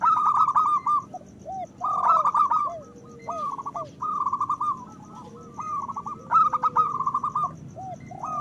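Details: Zebra doves, local birds, singing strongly to encourage breeding in other doves: runs of fast beaded coos keep returning, mixed with lower swooping coos and overlapping phrases from several birds.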